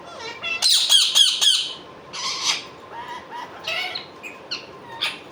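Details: Harsh, rapid squawks from an Indian ringneck parakeet, four to five in quick succession, then a looser run of varied raspy chattering calls.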